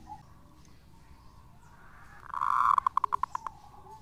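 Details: Faint and distant at first, a local zebra dove kept for luring swells into a long bright note, then rattles off a quick series of short clipped notes over a hissy background.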